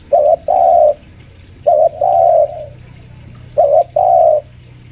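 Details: Senior captive spotted dove lure bird, about five years old, at home, calling while pressing a rival: low cooing phrases of a short note then a longer note, repeated three times about every two seconds, faint low hum beneath.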